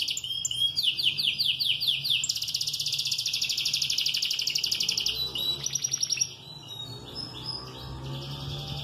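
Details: Moulting canary, still singing all day, delivers a run of downward-slurred chirps, then a long fast rattling trill lasting several seconds, a few high whistles, and a softer, quieter close.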